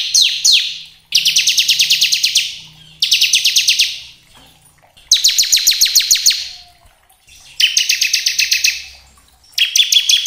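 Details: Bar-winged prinia of the kristal type singing energetically, used as a lure to make other prinias sing: fast rattling trills of high, even notes in bursts of about a second, separated by short pauses, with a few sharp downslurred chips.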